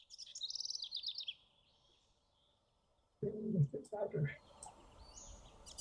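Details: House Wren in Santa Barbara County in June singing a quick, bubbly cascade of high chattering notes for about a second, then a man starts talking.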